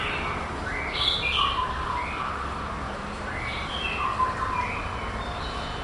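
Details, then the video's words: Male white-rumped shama, a competition bird placed third on 22 April 2012 in Kuala Lumpur. Varied whistled phrases, some high and sweet, others lower and slurred, over heavy steady background hiss and rumble. "Murai Batu BP COBRA"ING 70%"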